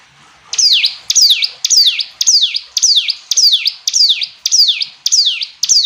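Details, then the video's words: Hill prinia giving a steady chain of ten loud whistled notes, each sliding sharply downward with a quick upturn at the end, about two every second, very regular. "Ciblek gunung istimewa, hitungan detik dijamin langsung bunyi ‼️ jernih"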